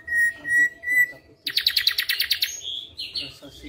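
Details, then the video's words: Active ashy drongo with white eyes, its song filled with flycatcher imitation: three clear mid-pitched whistled notes, then a sudden buzzy high rattle that breaks into mixed chirps and short whistles. "Srigunting Abu rasa Sikatan Londo"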